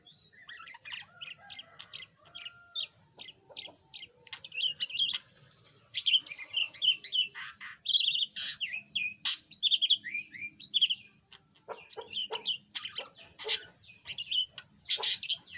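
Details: Caged yellow budgerigar, once silent and now learning to chatter, warbles steadily in a dense stream of high chirps, clicks and squeaky twitters that grows busier and louder toward the end.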